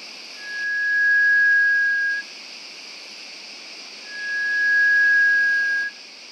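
Malaysian rail-babbler giving two long, thin, steady whistles, each almost two seconds and slightly rising at the start, about two seconds apart, over a constant hiss of forest insects.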